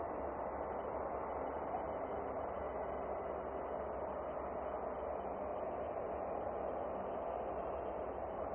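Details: A steady, muffled roar of broadband noise continues unchanged, with no animal voice.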